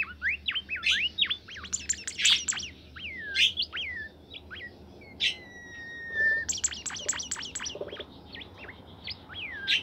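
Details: Bimoli bird kept in a cage, in full active song. It mixes fast sliding whistles with sharp bright chips and a few longer steady whistled notes, the phrases packed densely together.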